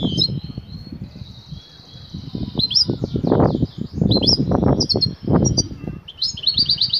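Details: Female European goldfinch calling the male for mating, giving continuous high twittering and buzzy trilled notes with sharp chirps at the end, over strong low thumping noise.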